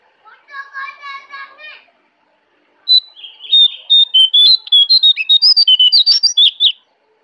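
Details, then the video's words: Lively song of a jongkangan from the Kintamani forest in Bali. A softer, lower stuttering note train comes first, then after a pause a loud, fast, sharp run of high chirped notes jumping up and down for about four seconds. "Jongkangan Gacor Dari Hutan Kintamani, Bali"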